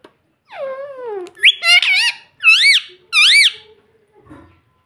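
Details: Tame parrot in a room speaking "mummy": a long falling nasal syllable, then four loud, rising-falling harmonic syllables, each about half a second, ending with a soft rustle.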